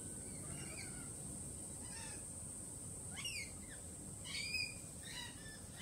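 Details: Lorikeets, unsettled after a peregrine falcon attack earlier in the week, give sharp, sweeping shrieks and grating squawks spaced about a second apart, over steady high hiss and soft low noise.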